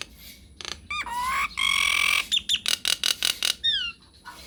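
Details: Nias hill myna singing with long rolls, used to spur other birds to answer: loud squawks and rising whistles leading into a strident sustained note, then rhythmic harsh chacks and falling slurred whistles.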